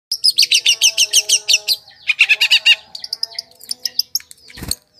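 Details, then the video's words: Long-tailed shrike song used as a lure to attract wild birds: rapid bursts of harsh, buzzy chirps about five per second, a second shorter burst, then softer scattered notes and a sharp click over faint steady background whistles. "PIKAT CENDET PENTET SUARA PANCINGAN"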